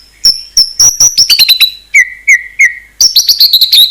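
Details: A white-rumped shama sings an isian song: a row of high steady whistles, a burst of quick chirps, three lower slurred whistles, then a rapid twittering flourish.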